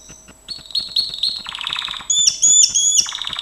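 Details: A Gloster canary sings for training, short detached notes leading into a low buzzy roll, followed by ringing high whistled notes repeated about three times.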